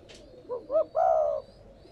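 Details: Spotted dove coo for stimulating newly caught doves to call. One phrase gives two brief rising notes and then a sustained low coo that slowly drops in pitch, with a faint chirp at the start.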